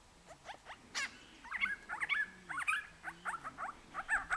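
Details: Grey-crowned babbler chattering at Coolmunda Dam, Inglewood, Queensland, Australia, recorded with a Canon Powershot S5 IS: a fast, busy run of squeaky rising and falling notes, almost two per second, overlapping like several birds.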